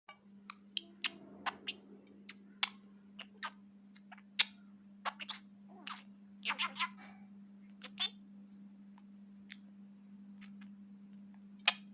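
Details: Scattered sharp clicks and taps sound over a steady low electrical hum. No clear animal voice stands out.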